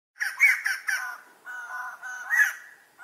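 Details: White-crested laughingthrush (Garrulax leucolophus) giving harsh, chattering calls in quick bursts, then a steadier nasal run and another loud burst, like raucous laughter.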